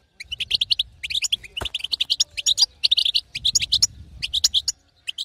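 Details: European goldfinch female calls, used to stimulate a silent caged male to sing; rapid bursts of high twittering and tinkling notes in quick clusters with brief pauses, a faint low hum underneath.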